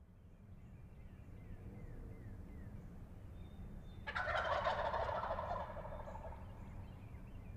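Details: Pennsylvania wild turkey longbeards strutting and gobbling on the roost before flying down, recorded 28 February 2018; one loud rattling gobble bursts in midway and lasts about two seconds, over a steady low background rumble with faint thin calls earlier.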